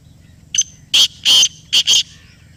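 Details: Close, loud black francolin call given in reply to a played call: one short opening note, then two long grating notes and a quick pair, all harsh and buzzy, in under two seconds.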